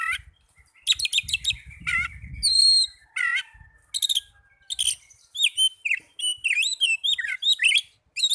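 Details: Oriental magpie-robin song used to encourage caged birds to sing: mixed whistles and buzzy bursts, a rough low noise near the start, then a lively run of looping whistled notes.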